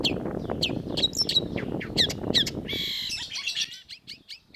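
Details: Long-tailed shrike singing vigorously in a master recording made for training cage birds: a rapid run of sharp, high chirps and short slurred notes, then a brief harsh rasping burst, over a steady low rumbling background.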